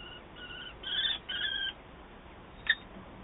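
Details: Common kestrel at a nest in Wałbrzych, Poland, on 9 June 2024 at 07:28, the female attending eggs as they hatch; three drawn-out, harmonic whining calls in quick succession, then a single short sharp note after a pause.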